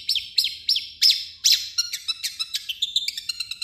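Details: Long-tailed shrike song blending its native phrases with copied calls of other birds: several slow, loud, ringing downslurred notes, then a faster rattling series of short high chirps.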